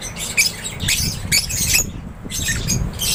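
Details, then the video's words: Lovebirds kept in an aviary give loud bursts of harsh, squeaky chirps, with a brief lull midway before the chatter resumes over a low hum. "LOVEBIRDS CHIRPING SOUNDS"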